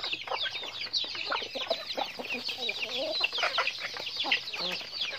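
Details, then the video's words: Chickens going about their daily activity: a dense, continuous mass of high, rapid cheeping and chirping, with a few lower, curving cluck-like notes mid-clip. "Natural Sounds of Chickens"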